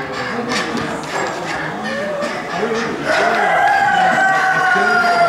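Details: Crèvecœur chicken, cuckoo-coloured, among hens and roosters at a Normandy breeds poultry championship in the Gournay-en-Bray market hall, France, December 2016. Crowd murmur and speech first, then a long, drawn-out rooster crow holding steady through the second half.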